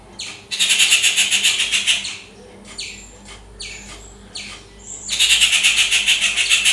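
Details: Rufous treepie calling loudly in its natural habitat: two long bursts of harsh, grating chatter made of rapid raspy pulses, about ten per second, split by a pause of short downslurred notes.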